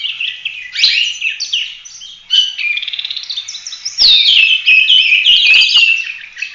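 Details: Full-roll 'tembak' Oriental magpie-robin song for training other birds: varied chattering and a fast buzzy trill, then loud cascading whistled phrases with sharp clicks.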